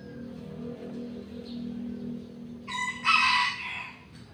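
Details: Morning chicken in a backyard gives one short, loud, harsh crow near the end, lasting under a second, above a constant low droning hum.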